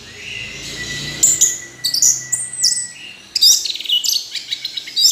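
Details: Orange-headed thrush: a long thin steady whistle, then bright, scattered chirps and a busy run of high twittering notes near the end.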